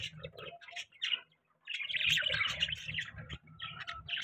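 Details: Pet budgies in the morning making a noisy chorus: continuous overlapping chirps and warbling chatter, with a brief pause, over a steady low hum in the background.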